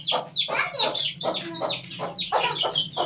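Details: An 18-day-old chicken chick gives a rapid series of high, downward-sliding peeps. Several come each second, mixed with short broadband clucking bursts and a low steady hum underneath.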